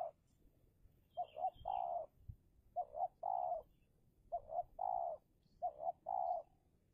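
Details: Indonesian decoy spotted dove battling wild doves in a luring contest. Four phrases about every one and a half seconds, each two short hoots and a longer drawn coo, with faint chirps above.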